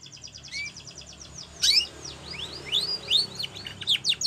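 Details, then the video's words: Singing Spanish Timbrado canary, a training recording: begins with a quick, soft rattling trill, then bright descending and rising whistled notes delivered in irregular bursts, high and clear over quiet background. "Spanish Timbrado song For Training"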